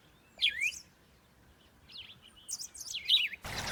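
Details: Pet zebra finches (Taeniopygia guttata) of a breeding bird family give short, high, sweeping chirps in a few quick bursts over quiet background hiss, ending in a brief rush of noise.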